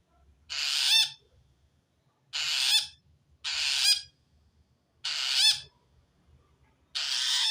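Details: Long-tailed shrike giving its harsh call toward wild shrikes, said to show a threat from another shrike; five loud hissing rasps, each about half a second, repeating roughly every second or so over a faint low rumble.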